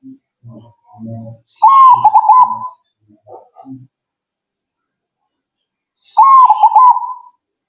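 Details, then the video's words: Zebra dove answering at once. Two rolling, trilled coo phrases about four seconds apart, each broken into quick wavering notes. Soft low thumps and faint murmurs come before the first phrase. "Burung Perkutut Kalian Langsung Nyaut..!!!"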